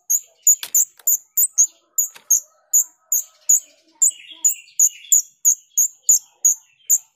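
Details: Lure recording of a female grosbeak starling, jalak rio: a long run of high, sharp, ringing chips, roughly three per second, with a brief lower warbling phrase midway and faint background chatter.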